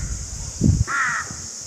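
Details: One raspy crow caw lasting about a third of a second, preceded by a low thump or rustle, under steady high hiss.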